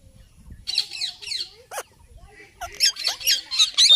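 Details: Indian ringneck parakeet, a pet parrot that talks, makes harsh, raspy squawks and chattering bursts in quick clusters, quiet at first and then growing louder and denser toward the end.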